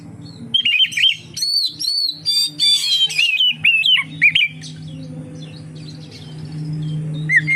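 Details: Oriental magpie-robin lure song: a burst of rapid varied whistles and slurred notes for about four seconds, then near quiet with a steady low hum.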